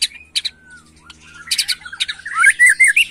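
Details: White-rumped shama, a young bird in an agitated state, singing a varied mix of whistled notes, a long gliding whistle and harsh buzzy bursts, ending in rapid rising and falling warbles.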